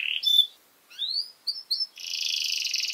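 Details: Canary singing a tutor song for training young birds: a few separated high notes and upward slurs, then a sustained buzzy high trill.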